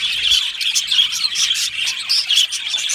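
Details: Aviary budgerigars in full chatter, quick sharp chirps and clear whistled notes popping out above a steady high warbling background.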